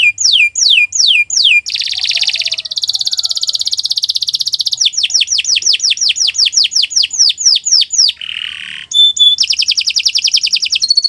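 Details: Canary song used to train other birds: descending whistled notes, a dense buzzing roll, rapid repeated slurs, a lower buzzy phrase and closing fast high trill, delivered in one unbroken stream.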